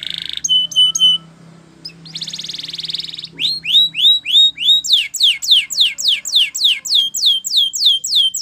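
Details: Canary training song, Spanish Timbrado style: a few sharp high chirps and a dense buzzy rattle, then a long run of clear descending whistled notes repeated about three times a second.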